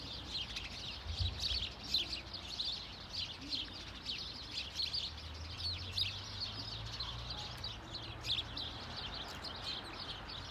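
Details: Many house sparrows give call notes in a city park in Sundsvall, Sweden, on 26 November 2023: continuous short harsh cheeps overlapping in a busy chorus, with a low rumble of traffic underneath.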